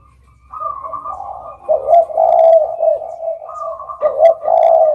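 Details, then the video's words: Soft opening gives way to overlapping spotted dove coos, a mellow higher tone alongside deeper, swelling hoots that peak twice, the second rise coming near the end. "suara burung derkuku"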